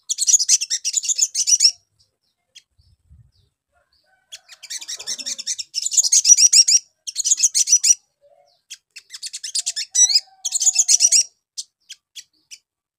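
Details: Sogon lure recording aimed at getting a young bird to answer quickly: long bursts of rapid, high, buzzy twittering separated by short pauses, ending with scattered single chirps.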